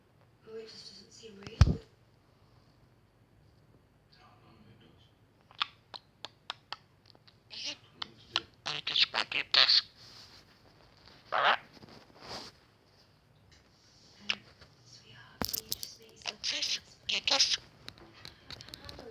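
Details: Pet budgerigar Joey chatters in rapid, scratchy bursts of high-pitched mimicked speech.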